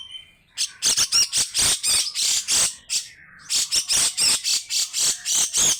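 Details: Grey-cheeked bulbul pouring out a long, coarse, rattling song: a short whistle, then dense runs of harsh bursts repeated about three to four times per second, with a brief pause midway.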